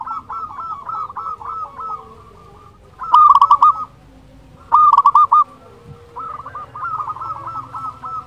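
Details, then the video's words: Local zebra dove singing as a lure to stir quiet or stressed birds; rapid rolling coo phrases, two loud bursts in the middle, with softer cooing from other doves before and after. "Perkutut Lokal Gacor Suara Ampuh Untuk Pancingan Burung Perkutut Agar Bunyi"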